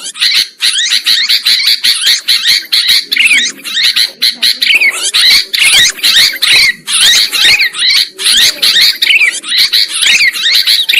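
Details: Sooty-headed bulbuls in a trapping lure recording, a near-continuous chorus of harsh, rapid chattering notes from several birds with only short pauses.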